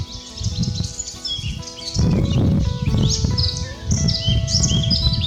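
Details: A Eurasian blackcap in Biebrza National Park, Poland, gives bright, fluty warbling phrases in quick bursts, each lasting about a second, over a steady bed of soft background music.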